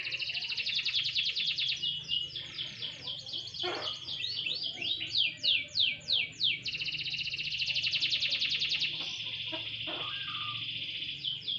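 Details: Canary out in light sunbathing, opening with a dense rapid trill, then loud sweeping slurred notes repeated about twice a second, followed by another long high rolling trill.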